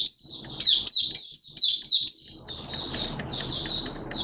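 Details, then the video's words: Malaysian Oriental white-eye kept for song, giving crisp high whistled notes about three per second that slur downward, then fading into softer, hurried twitters over background hiss. "Malaysian Mata Puteh Buka Sing"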